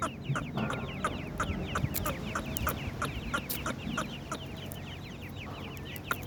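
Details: Partridge chicks giving a dense chorus of thin, high, downward-slurred peeps, many overlapping and repeated rapidly, over a low rumbling hum with scattered sharp clicks and knocks.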